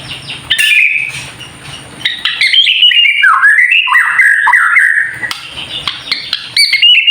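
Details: White-rumped shama, a kept bird, singing to provoke others: a few sharp notes, then a long run of wavering, dipping whistles and a final high chip series, over low background hum.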